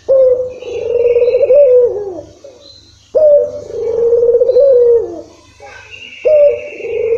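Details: Lure coos of a Barbary dove (puter), meant to provoke a quiet bird into calling; drawn-out, low, slightly quavering coos roughly every three seconds, with a faint higher chirp between them.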